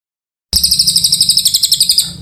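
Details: Oriental white-eye singing vigorously at length, the kind of recording used to tutor magpie-robins: an unbroken, evenly pulsed series of sharp, very high chirping notes repeated rapidly for about a second and a half.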